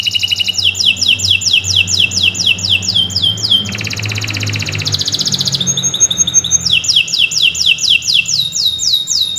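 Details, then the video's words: Domestic canary singing long and continuously, a recording used for training other birds: rapid runs of high descending whistled sweeps repeated about twice a second, interrupted midway by a dense buzzy high trill, then the sweeping series resumes. "Kicau Burung Kenari II GACOR PANJANG Cocok untuk Masteran"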